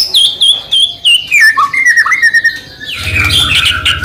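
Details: White-rumped shama song meant to prompt other shamas to sing: repeated clear whistled notes stepping downward, then slurred warbling phrases, ending in a harsher, noisier burst with a low rumble underneath.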